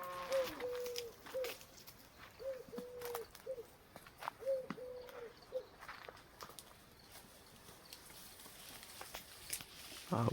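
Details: A dove on a farm in natural surroundings gives three steady, hollow coo phrases about two seconds apart, each a held note with a short tag, over clicks, footsteps and light outdoor noise, before flying off.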